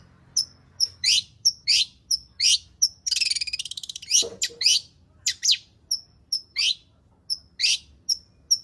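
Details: Long-tailed shrike singing a full varied repertoire as a lure to draw out singing: sharp high whistled notes repeated about every third of a second, broken by a fast dry rattling trill and harsh buzzy notes.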